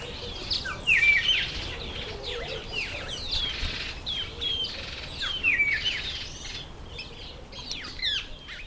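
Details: Masked weavers in September–October breeding season, a steady stream of downslurred chirps and twitters from many birds, with louder whistled notes standing out now and then.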